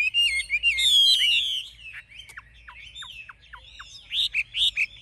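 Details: Wild-caught older Chinese hwamei, caged, singing in forest style: a loud, rich burst of overlapping whistles, then a series of short, sharp downslurred chips, ending in renewed bright whistled notes.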